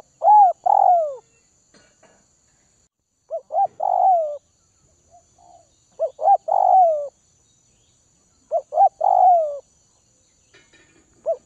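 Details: Kept spotted dove from the Northwest region, fed to make it tame, repeats its cooing phrase four times about every two and a half seconds, each a stutter of short notes then a long falling coo.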